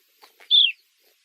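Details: A single sharp, down-curving whistle from an Eastern Clapper Lark, preceded by two soft dry clicks.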